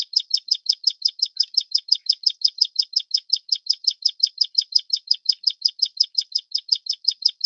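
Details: Plain Prinia, subspecies flavirostris endemic to Taiwan, calling in a long unbroken run of roughly forty identical buzzy, high-pitched notes, about five or six per second, machine-like and regular throughout.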